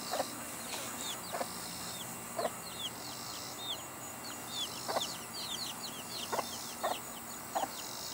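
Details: Mother hen among her chicks, giving short low clucks spaced roughly a second apart, while a busy chorus of high, downslurred chick peeps runs continuously over them.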